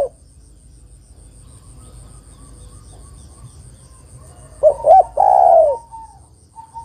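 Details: Female spotted dove calling the male: after several seconds of near silence, one phrase of two brief rising coos and a long, throaty coo, with a faint steady high ticking.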